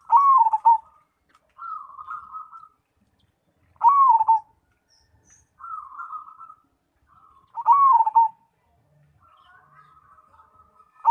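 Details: Singing zebra dove (perkutut, cemani type), a popular contest bird: a strong dropping coo, then a lower purring roll of short notes, the phrase recurring roughly every four seconds in a quiet setting.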